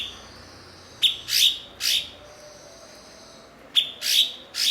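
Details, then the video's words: Blue-winged leafbird, prized for mimicking other birds and used as a master to teach songbirds; loud, sharp high notes in sets of three, each swelling then sliding down, with a clean, quiet background. "MASTERAN BURUNG BERKICAU "CUKOK""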